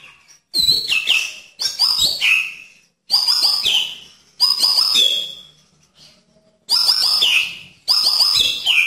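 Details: White-rumped shama (murai batu) delivering tembakan: loud, explosive high bursts with sharp starts, repeated roughly every one to one and a half seconds, with a brief quiet gap in the middle.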